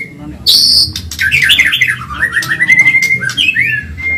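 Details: Medan white-rumped shama, caged and singing energetically as a training recording: a loud harsh burst, then a quick run of zigzagging whistled notes sliding up and down, ending in a short clear whistle over a low hum.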